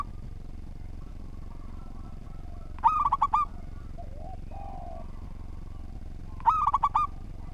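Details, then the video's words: Two clipped, clustered coo phrases from a local zebra dove, each about half a second of rapid hollow notes, separated by several seconds of faint cooing and steady low rumble. "Perkutut Lokal Gacor Suara Tersusun, Cocok Buat Masteran"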